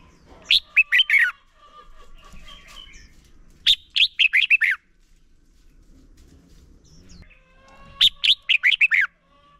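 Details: Red-whiskered bulbul male, singing to spark song in other bulbuls, delivers three energetic phrases of clipped, falling warbles, each of five or six notes, separated by quiet gaps with faint chirps.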